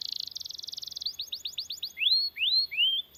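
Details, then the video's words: Canary singing a long rolling tutor song meant to set other canaries singing: a rapid buzzing trill runs into quick repeated upward chirps, then three longer rising whistled notes. "BURUNG KENARI GACOR NGEROL PANJANG UNTUK MASTERAN KENARI DAN PANCINGAN KENARI AGAR BUNYI GACOR"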